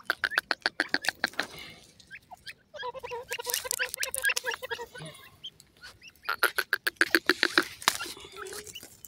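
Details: Grey francolin calling: a fast burst of harsh, rasping notes, then a run of loud, nasal, ringing notes repeated several times a second, and a final rapid harsh series closing the sequence.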